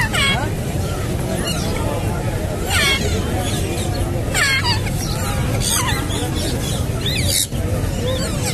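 Grey parrot chicks give harsh, rasping squawks about every second or so, over a steady rumble of background noise and murmuring.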